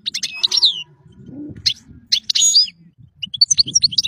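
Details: Goldfinch singing for young birds to learn from, with sharp high chirps, a descending twitter and scattered tinkling notes between brief silences.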